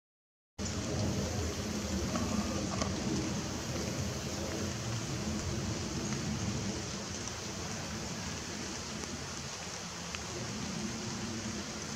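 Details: Steady rushing water, like a torrent or heavy rain, fills the whole recording, with no animal calls standing out.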